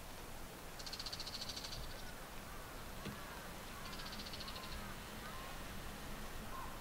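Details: Bull-headed Shrike males calling back and forth in a territorial dispute from a rooftop antenna and a treetop, Japan, early July 2014: two separate bursts of rapid, scratchy high-pitched notes with faint background noise.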